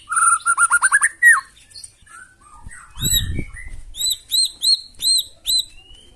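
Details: White-rumped shama singing to stir other birds into song: a fast series of rising whistled notes, soft scattered phrases, then repeated clear upswept whistles, with a brief low thump.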